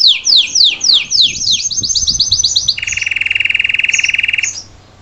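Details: Salsa canary singing for a young bird to learn from: sweeping downward notes, a quick high trill, then a steady, lower, pulsing rolled trill held for about two seconds before fading.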